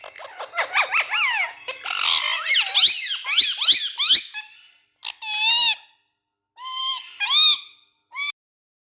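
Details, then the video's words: Indian ringneck parrot with two other talking parrots, giving a fast run of squeaky chattering, word-like warbles, then separate shrill rising squeaks and whistles with short pauses between them, in a quiet setting. "Indian🌷Talking Parrot🎊With 2 Other Speaking Parrots"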